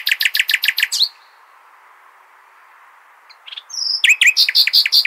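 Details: Nightingale giving Hasaniya-style song meant to coach goldfinch and hybrid chicks: a fast run of loud, repeated sharp chips, a quiet gap, then thin whistles and another rapid sequence of bright, ringing notes.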